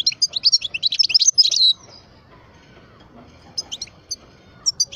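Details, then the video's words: Caged European goldfinch, parva type, twelve years old, delivering a fast, dense run of bright twittering and tinkling notes for nearly two seconds, then a pause and scattered short high chips. "Chant parva le meilleur"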